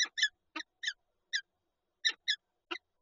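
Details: At a Lublin, Poland nest holding an egg, 19 March 2022, a Peregrine falcon pair gives clipped, raspy notes in doubled bursts, roughly eight calls in three seconds with no other sounds.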